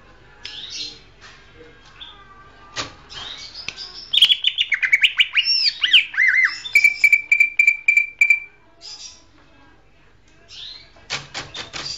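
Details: Champion greater green leafbird singing: scattered high chirps, then a loud burst of rapid, varied looping whistles and sweeping trills, a long steady whistled note held for about two seconds, and a final cluster of sharp clicks.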